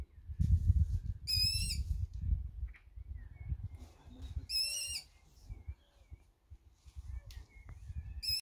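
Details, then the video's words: Three Long-eared owl chicks on 8 June 2020 give high, squeaky, drawn-out calls about every three seconds, over heavy low rumbling noise and faint chirps from other birds. "Long eared Owl chicks"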